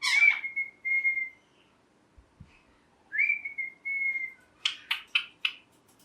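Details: Pet green ringneck parrot whistling long, flat, steady notes, one rising at its start, then finishing with four evenly spaced sharp chirps; quiet room.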